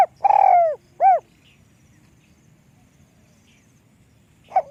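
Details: Spotted dove, described as small-voiced, finishing a phrase with a long rough-edged falling coo and a short rounded coo, followed by nearly three seconds of quiet before a faint new note begins.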